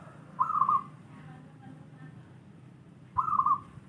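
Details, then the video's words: Local wild zebra dove recorded for training doves that sing little, giving a short rapid trilled coo phrase near one pitch, repeated after about three seconds, over a low steady background rumble. "masteran suara burung perkutut lokal alam malas bunyi"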